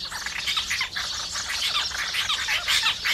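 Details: A flock of house sparrows feeding, loud and busy chirping with many short bright notes tumbling over each other without a break.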